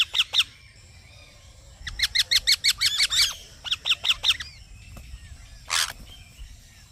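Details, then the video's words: Green parrot uttering short runs of quick, high, ringing chirps, several bursts of three to nine notes, followed by a single harsh noisy burst and quiet background hum. "Green Parrot Chirping Sounds"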